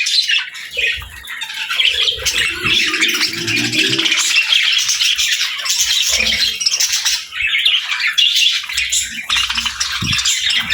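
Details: Happy budgerigars kept as pets chatter nonstop: busy overlapping chirps, rasping squawks and warbled notes with brief pauses, suggesting a small group calling together.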